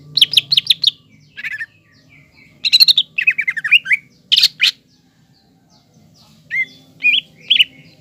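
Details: Vigorous green leafbird singing intended to anger a young speckled rival. Quick clusters of high chips and chattering phrases are followed by a loud harsh note, a pause, and then a few clear whistled slurs.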